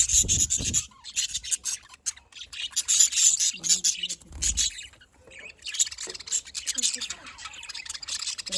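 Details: A lively afternoon budgerigar chorus in Larkana, Sindh: dense, continuous high twittering and raspy chatter from several birds, briefly dropping away midway before swelling again, with occasional low bumps.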